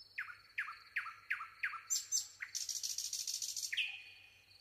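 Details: Singing nightingale: six evenly spaced downward-swooping notes, a high sharp phrase, then a loud harsh buzzing trill and a final level whistle, over a quiet low hum.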